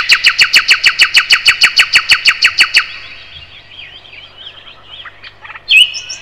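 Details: A thrush nightingale (Luscinia luscinia), found in Europe and Western Asia, sings a fast, loud series of about eighteen dry, clicking notes, then quieter warbled twitters and a final sharp whistle.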